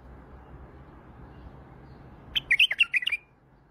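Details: Single quick song phrase from an Iraqi white-eared bulbul after a stretch of quiet low hum: roughly seven clear, bouncing whistled notes packed into under a second.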